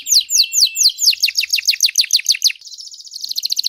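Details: Master singing canary, one of three, giving spaced downslurred whistles that speed into a rapid run of short notes, then a tight high buzzing trill.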